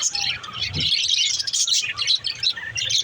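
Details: Busy budgerigar twittering: bright chirps, short whistled notes and raspy warbles pile on top of one another, with a soft low bump early on.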